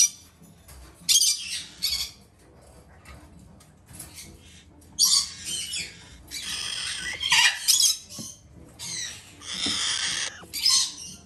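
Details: Two female red-shouldered macaw chicks from a domestic breeder, still hand-fed three times a day, give harsh, raspy squawks in short noisy bursts, some drawn out over a second or more, with quiet pauses between.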